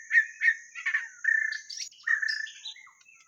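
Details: Lure recording of a white-rumped shama singing: loud, rich, warbled whistles in short bursts, with smooth sustained notes and higher chirps toward the end, over a thin constant high hiss.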